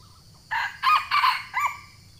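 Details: Junglefowl from Sumatra crowing to challenge a rival, a call used by trappers to lure wild birds. A hoarse, harmonic crow in four bursts over about a second, the middle parts loudest, with a faint steady hiss behind.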